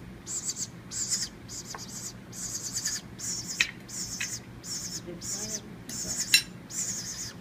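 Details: Hand-raised baby woodpecker that fell from its nest in a palm tree, at feeding time on moist cat food and water from a paint brush and spoon: high, buzzy begging bursts about once a second, with light clicks of utensils between.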